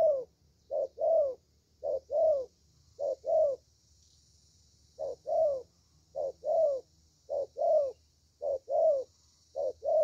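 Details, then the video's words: Young spotted dove from Vietnam singing in the 'thổ' style. It gives short double coos in quick regular pairs, with one longer silent gap midway, against a soft low hum. "Thổ Tơ Tốt Tiếng"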